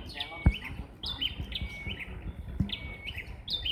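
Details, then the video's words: Two bar-winged prinias trading songs as though in rivalry, each a bright chirped phrase with a flat whistled tail, repeated about every second over low rural noise. "Burung Prenjak Gacor Vs Prenjak Kicau"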